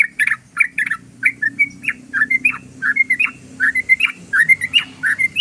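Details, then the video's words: Yellow-vented bulbul delivering long 'ropel' song as a bird-attracting lure: loud, continuous stream of bubbly, warbled whistles, rising and falling, several notes per second, with a soft low hum beneath. "ROPELAN BURUNG TRUCUK PANJANG❗❗❗SUARA BURUNG TRUCUKAN ROPEL JOSSSSS"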